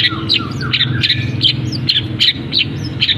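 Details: Caged long-tailed shrike delivering a song stuffed with canary, sparrow and kapas tembak imitations; sharp high chirps repeated about twice a second, with a few lower slurred notes, against a constant low hum.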